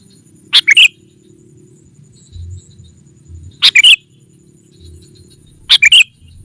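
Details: Sooty-headed bulbul used as a lure for wild rivals: three brisk liquid three-note phrases, roughly every three seconds, over a faint low hum.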